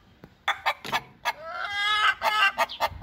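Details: Domestic chickens with chicks give short sharp clucks, then a longer, rising, harmonic drawn call and more clucks.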